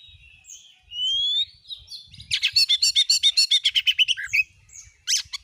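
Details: Oriental magpie-robin gacor nembak song used to provoke other magpie-robins: soft whistles, one long rising whistle, then a fast even series of about fifteen ringing repeated notes.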